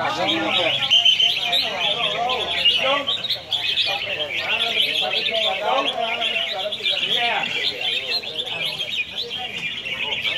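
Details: Red-whiskered bulbuls in a singing competition at a competition field, Soi 7, Hat Yai district, Songkhla province, Thailand; many birds sing together in dense, overlapping bright chirps and warbled phrases, with people talking and background noise.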